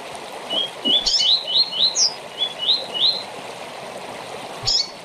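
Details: Rusty-collared seedeater short tournament-style song: a rapid run of about ten bright, rising whistled notes, some paired, ending in a higher buzzy flourish, over a faint trickling background.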